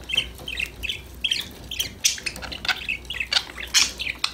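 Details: Pet parakeets chirping and having fun together; a run of short repeated warbled chirps about every quarter second, then louder sharp squeaky notes and scratchy squawks.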